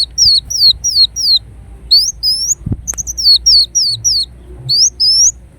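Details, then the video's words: Kolibri wulung, the ruby-cheeked sunbird, singing high, thin down-slurred notes interrupted by a sharp click, then resuming with rising and falling whistles. "Kolibri Wulung Gacor Dorr Bocor Corr"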